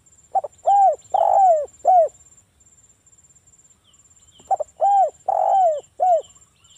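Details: Spotted dove of local stock singing the Ngalas style, used to lure other doves into answering. Two phrases, each of two clipped notes and three rounded coos, the third drawn out, with a silent pause between.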